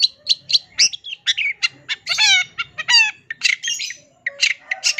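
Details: Long-tailed shrike in full, lively song with varied phrases, master recording for training songbirds: quick high chirps, harsh buzzy descending sweeps in the middle, then scattered squeaky whistles after a short pause.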